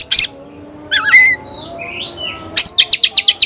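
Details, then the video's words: White-rumped shama challenging a rival: a sharp high burst, then softer wavering whistles and a gliding slurred note, ending in a renewed flurry of bright chips. "Teriakan KACER panggil lawan tarung"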